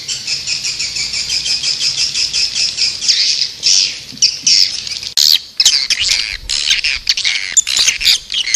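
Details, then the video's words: Swiftlet sounds: a rapid, even trill of high chirps gives way to a harsh, scratchy squawk, then scattered squeaks and sharp clicks. "Suara Burung Walet"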